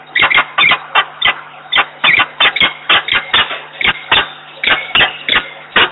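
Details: Peregrine falcons at a nest box in Włocławek, Poland, 15 November 2022, on a nest camera. One bird is on the grating and the other stays inside the box. Harsh, strident calls repeat in rapid bursts, several each second.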